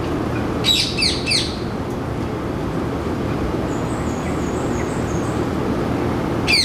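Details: Three rapid raspy, falling screeches, then one more at the end, from a male rose-ringed parakeet calling in a ceylon ironwood tree in Singapore, an introduced resident breeder. High thin whistles from another bird in between; traffic rumble throughout.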